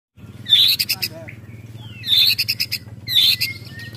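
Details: White-rumped shama giving an agitated ketrekan call: three loud bursts, each a high, harsh rattle of rapid clicks with a short bright note, spaced about a second apart over a low steady hum.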